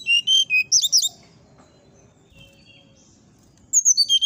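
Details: Brown-chested jungle flycatcher in nyuling style, giving quick sweet whistled notes with a brief sharp flourish, a pause over low background rumble, then a new series of pure descending whistles.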